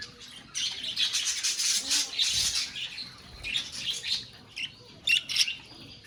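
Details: A budgerigar colony keeps up a steady buzzy, high-pitched chatter of many overlapping voices, later breaking into separate sharp chirps and clicks.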